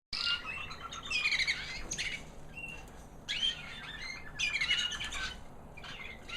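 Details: White American Singer canary hen, a proven 2009 bird that raised babies last year, singing after the molt: high, sweet bursts of chirps and twittering trills separated by short pauses, with brief slurred whistles.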